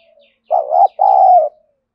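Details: One full phrase from a caged decoy spotted dove in a gruff, scolding 'thổ' voice that provokes wild doves. A quick double note, then a long steady coo. Faint high chirps from another bird come just before.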